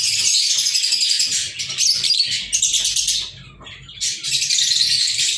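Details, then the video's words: Pet lovebirds recorded on 14 February 2023, several birds chattering continuously with dense, shrill, high-pitched chirps and squeaks, briefly pausing in the middle before the noisy chorus resumes. "Love Birds"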